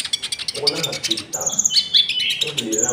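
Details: Common iora (konin) song with cricket-style filling, a lure for trapping and training caged birds; busy high chirping and level whistled notes, with a softer lower warble beneath in places.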